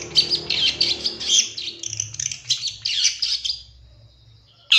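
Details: Long-tailed shrike with a full fill-in song, recorded to train captive birds. It gives a continuous, high, scratchy warble of mixed chips, trills and whistles that fades out, followed by one abrupt sharp note at the end.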